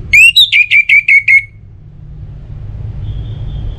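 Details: Orange-headed thrush song for stimulating other birds to sing. It opens with a run of about seven short, repeated downslurred whistles, then fades to near silence with a faint thin high tone.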